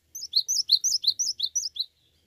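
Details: Cinereous tit, called gelatik batu, singing in a lively gacor style: a rapid run of about ten high, sharp, down-slurred chirps, each paired with a higher note, over roughly 1.7 seconds in a quiet room.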